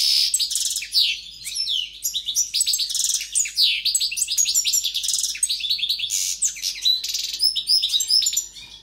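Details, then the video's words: Strong, continuous European goldfinch song: a long, high-pitched stream of fast twittering, chattering notes and rasping buzzes delivered with great energy. "JILGUERO CANTANDO"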